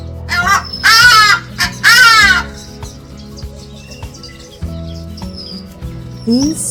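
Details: Hadada Ibis, one of a long-bonded pair nesting in a South African garden during breeding season, gives two loud, harsh, nasal honking notes about a second apart, with soft background music and a few faint chirps.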